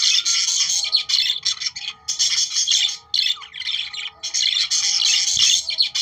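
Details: Budgerigars from Australia singing to encourage breeding, a dense continuous stream of scratchy chirps and squeaks with brief dips, a faint steady low tone running underneath.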